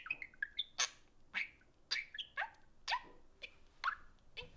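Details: Two pet budgies at play time around an iPhone, trading sharp, evenly spaced squawky chirps against a faint hiss of room noise.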